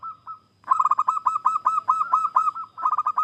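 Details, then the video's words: Wild local Zebra Dove (perkutut) song used as a lure to make other doves sing: a soft opening coo, then a fast run of about a dozen clipped, mid-pitched cooing notes, a brief pause, and another quick burst. "Perkutut Lokal GACOR,suara khas idaman para pemikat"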